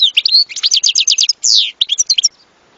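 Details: European goldfinch singing a quick two-second phrase of tinkling chirps, a short trill and a descending swept note, then falling silent.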